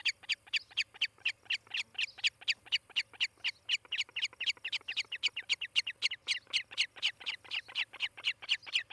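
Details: Long bout of calling from an osprey on its nest in Charlo, Montana, nest camera, morning of 18 July 2018: around thirty-eight piercing whistled yelps in nine seconds, rapid and regular, a faint electrical hum below.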